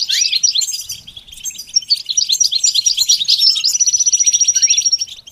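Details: Goldfinch song: rapid tinkling twitter of high notes running into a long steady trill of evenly repeated chirps at the end.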